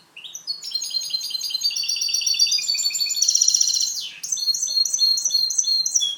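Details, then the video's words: Clean song (canto limpio) of a goldfinch hybrid kept for training: a fast, unbroken stream of high tinkling trills and chirps, a sharp dip near the middle, then repeated chirped phrases to the end. "MIXTO JILGUERO CANTO LIMPIO"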